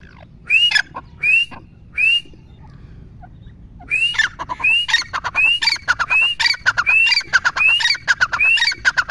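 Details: Grey francolin, locally called teetar, calling loudly: rising whistled notes repeated about every three-quarters of a second with harsh clucking bursts between them, a brief pause, then a faster run of the same rising whistles.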